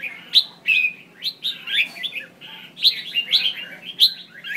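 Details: Female red-whiskered bulbul voice used to trigger males to sing: dense sequence of slurred, bubbly chirps and short whistles, some sharp high accents, nearly continuous with uneven spacing, faint hum behind.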